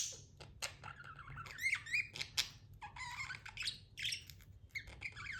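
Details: Tame budgerigar chirping in a room: quieter, busy mix of short clicks, warbled twitters and rising whistled notes, with a low rumbling background hum and some broadband noise.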